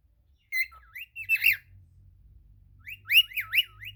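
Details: Cockatiel singing a run of looping whistled notes that swoop down and up in quick succession, two phrases split by a gap, with a faint low hum behind.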